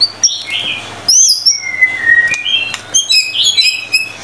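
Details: White-rumped shama in lively song: mixed high whistles, a long gently falling note, then a fast chattering string of bright chirps and short slurs.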